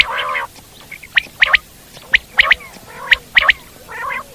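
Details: Common quail in the wild giving crisp, ringing triple notes in steady succession, framed by low nasal burbling bursts at start and end.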